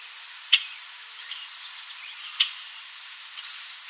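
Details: A common grackle perched in a backyard tree in Southern Ontario, Canada, late in the evening, spreading its wings as it calls, gives three sharp, harsh chack notes about one to two seconds apart, over faint high chirps from other birds and steady hiss.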